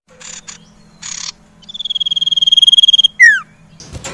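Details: Common iora song, a lure for caged birds that stop singing: brief buzzy bursts, then a long high pulsed note held over a second, followed by a sharp descending whistled slur; faint low hum underneath.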